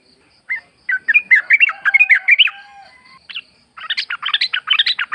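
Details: Sooty-headed Bulbul in forest with natural ambience, lure recording: a bubbly phrase of slurred chirps, a pause, then a brighter burst of rapid, higher chattering notes.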